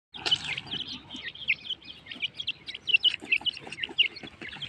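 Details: Partridges calling: a busy run of short, high chirps and bent whistled notes, several overlapping, rising and falling in quick bursts across nearly five seconds, with a faint low background rumble.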